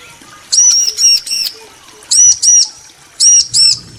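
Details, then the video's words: Bar-winged prinia, male and female answering each other: sharp, high arched chips in quick bursts of two or three, repeated after short pauses. "Ciblek betina & Jantan saling nyaut"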